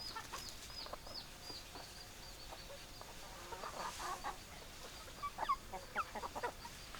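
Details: Hens clucking softly at a distance: loose, irregular clucks and murmurs, with faint high falling chirps early on and a cluster of sharper clucks near the end.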